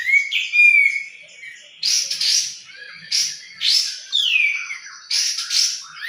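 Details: Songbird thought to be a sooty-headed bulbul, though possibly the bird called jenggot, singing: a clear slurred whistle followed by repeated harsh, buzzy bursts alternating with short whistled notes roughly every second.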